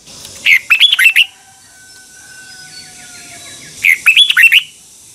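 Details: Red-whiskered bulbul morning song, a double-voiced twisting 'xoắn tít' training and lure song. Two lively warbled phrases of rising and falling whistles arrive about three seconds apart, with faint softer notes in between.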